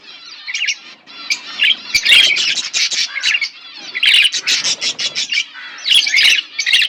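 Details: Yellow budgerigars chirping in a busy, scratchy chatter of rapid warbles and squeaks.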